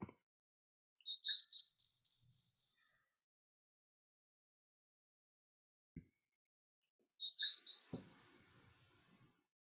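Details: Prairie Warbler gives two high, buzzy, raspy songs, each a quick run of about ten coarse notes climbing steadily in pitch, separated by several seconds of quiet; the buzz comes from very rapid frequency wiggles.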